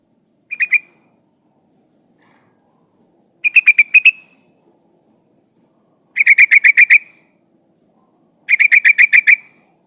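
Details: Female sooty-headed bulbul calling the male: four bursts of rapid, even, clipped notes, each burst a quick run of six to eight beats, separated by a few seconds of quiet.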